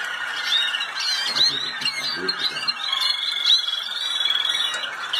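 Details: Malinois canary at the 2019 world championship in the Netherlands sings a continuous run of rolling, bubbling trills and liquid warbled tours at a steady pace, with faint room noise behind.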